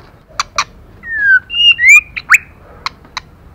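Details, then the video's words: Female white-rumped shama calling to stimulate males: two clicks, then loud clear whistles, one falling and others rising, a sharp upward-sweeping note, then more spaced clicks. "Lửa mái kích trống hay nhất"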